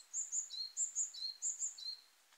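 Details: Eurasian Wren singing in mid-March along a forest road in Kanagawa, Japan, at the start of a birding walk. Very high, thin notes in quick pairs alternate with slightly lower trills in a rapid, repeating phrase.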